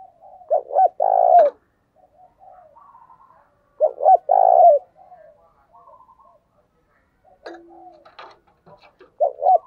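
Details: Lure cooing of a spotted dove used to prompt caged doves to coo. Low hollow coo phrases of three notes repeat roughly every three and a half seconds, with faint soft notes between them and a few sharp clicks near the end.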